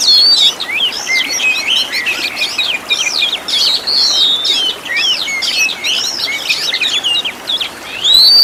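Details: Kacer (Oriental magpie-robin) master song with many varied phrases for training caged birds: energetic jumble of swooping whistles, chirps and harsh notes, continuous throughout.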